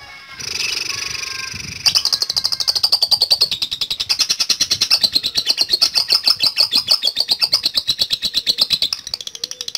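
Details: A lovebird bursts into a long ticking chatter ('ngetik latah ngekek panjang') meant to provoke other lovebirds: after a quieter, scratchy start, rapid high staccato chips pour out steadily for about eight seconds.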